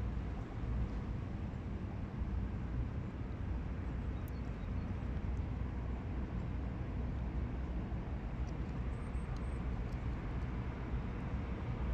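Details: Steady low rumble like distant traffic or aircraft with a few faint ticks, and no animal voices.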